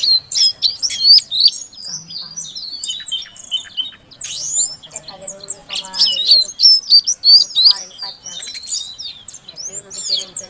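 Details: A female Oriental magpie-robin calling a quiet male to make him sing: lively bursts of high whistles, buzzy rasps and rapid chirps, delivered in uneven runs separated by brief gaps.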